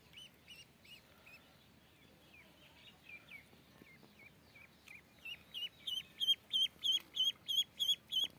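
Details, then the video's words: Soft, scattered duckling peeps build into a loud, very regular run of clear high notes, about three each second, toward the end. "Duck Chicks"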